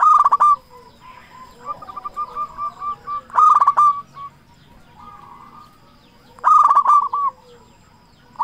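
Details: Persistent local zebra dove used to lure others into song: three loud bursts of rapid staccato coos roughly three seconds apart, separated by a run of quieter short cooing notes from another dove.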